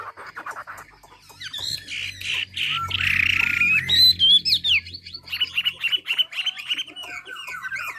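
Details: Chinese hwamei from Ha Giang, Vietnam, in natural song used for training other birds: a loud, varied run of whistled and slurred phrases, rising and falling, with rapid repeated notes after a quieter start.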